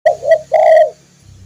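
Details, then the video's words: Spotted dove song, a recording used to tutor caged birds: two loud, low, hoarse coo notes about half a second apart. The second note is longer and slightly wavering. A faint low hum lies underneath. "masteran burung tekukur/derkuku"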